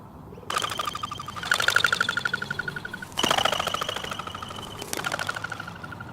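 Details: Crested pigeon's wing whistle on take-off, an alarm that warns other birds of danger, made by a narrow modified eighth primary feather: a fast pulsed series of about four beats a second with a tonal whine, in three bursts.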